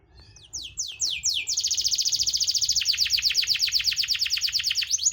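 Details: Canary song used as a lure to prompt canaries that are reluctant to sing. A few sharp, descending sweeps run into a long, fast, buzzy trill of high notes repeated many times per second, with a faint low hum beneath.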